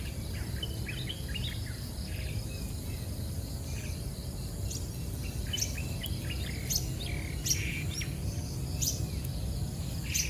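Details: Day-old bulbul chicks, newly hatched, give thin, high, scattered chirps in short clusters while being fed by their mother; steady low rumble and a faint high insect hum throughout.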